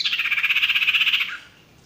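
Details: Male sirtu song recorded as a masteran for training wild-caught or stressed, non-singing birds: a dense, fast buzzy trill of evenly pulsed high notes lasting over a second, then fading into quiet.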